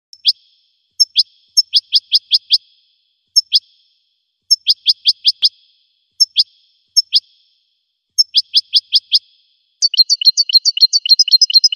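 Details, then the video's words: A goldfinch sings bursts of high, bright twittering notes in quick runs of four to six, ending in a rapid tinkling trill, with nothing else heard. "the goldfinch's song"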